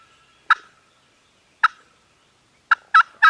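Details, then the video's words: Gobbling turkeys at a farm, Canon G7X recording: two separate harsh bursts about a second apart, then a quick cluster of three louder ones near the end. "Turkeys Are Gobbling"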